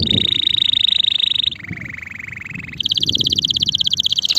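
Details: Singing male canary delivering three sustained rapid trills in a row, the first high, the second lower, the third jumping back up to a higher pitch.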